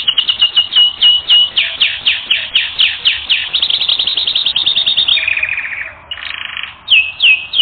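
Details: Canary singing on a training recording, with a steady series of quick downward-sweeping notes about four per second that speed into a rattling trill, then a buzzy tour and a few clear whistles.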